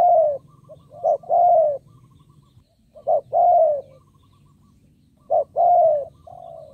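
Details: Decoy spotted dove calling to lure wild doves, three phrases of quick rising notes each leading into a long, slightly falling coo, with a softer dove answering at the end.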